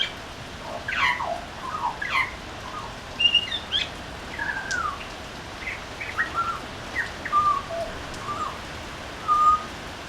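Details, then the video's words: Butcherbird singing on a veranda: a lively run of clear, fluted whistles, some sliding up or down, others short and level, delivered in quick phrases with brief pauses, over a steady soft background hiss. "Butcher Bird singing on our veranda"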